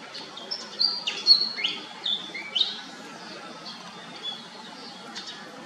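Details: Pied fantail calling: a run of high, thin squeaky notes and short descending whistles in the first three seconds, then quieter scattered chips over faint background hiss.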